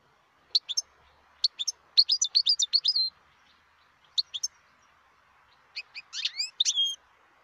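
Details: European goldfinch, a wild bird in Algeria, delivering liquid twittering song: quick high chirps in short groups, a longer rippling run, then rising slurred whistles near the end.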